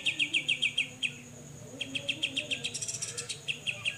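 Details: Grey-cheeked bulbul besetan song recorded as a tutor for songbirds: runs of quick, clean, repeated chipping notes broken by a short pause, then a denser rattling burst, with a steady high whine behind.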